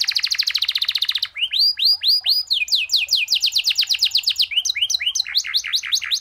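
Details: Canary in full rolling song with unique phrasing, kept as a tutor for training other birds: fast buzzy trill, then rising swept whistles and a long series of rapid repeated notes ending in bright chirping phrases.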